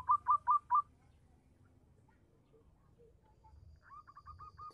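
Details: Zebra Dove of a local type singing as a lure to get quiet doves to respond: four loud, abrupt hooked coos in quick succession, a pause, then a faint, rapid run of softer notes.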